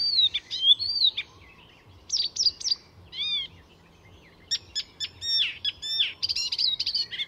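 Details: Mimicking song of an Icterine warbler recorded in Sweden at Fysingen reserve; whistled phrases, looping chirps and clipped notes with brief pauses, ending in a dense chattering burst.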